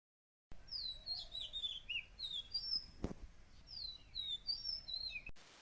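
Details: House sparrows in a garden chirp and twitter in a busy stream of short, high, slurred notes, with several birds overlapping and a single sharp knock midway.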